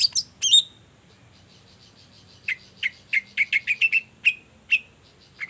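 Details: Long-tailed shrike calling in the morning, used to prompt other shrikes to answer: a few harsh high notes, then a pause and a series of short sharp whistled notes repeated about every third of a second.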